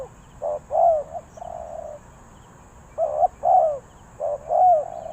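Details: Spotted dove cooing in Ninh Thuận, in the three-coo 'hanging' style used to call birds down: low, hollow coo phrases in three bursts, each a few quick rising notes and a longer drawn-out coo, with quiet background.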